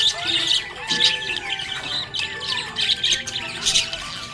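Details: Happy budgerigar chirping, a continuous busy stream of warbled, squeaky high chatter and short chirps, dense and unbroken throughout.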